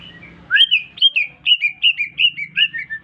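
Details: Caged greater green leafbird, just bought, chattering after being whistled at: a rapid string of about ten bright, slurred two-part notes, each high then dipping lower, delivered evenly in about two and a half seconds.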